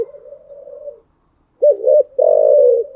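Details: A spotted dove's morning coo: a soft wavering hum, a pause, then two sharp guttural notes and a sustained vibrating coo that trails off.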